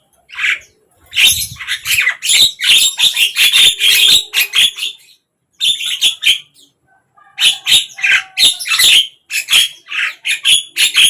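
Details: Javan myna singing at morning, midday or evening: long dense bouts of raspy, chattering notes and squeaks delivered in fast succession, broken by two short silences.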